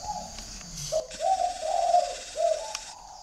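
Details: Spotted dove decoy bird with a large, heavily spotted neck collar, cooing: a soft low note, then several mellow hollow coos, the longest in the middle, with a faint hiss behind.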